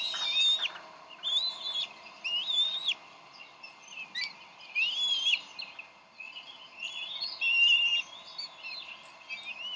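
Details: Bald eagles at the Decorah nest, 30 May 2012, as the parents squabble over a fish before the mother feeds the eaglet; high, thin whistled chirps and squeaky chittering come in irregular bursts, some with rising and falling slides.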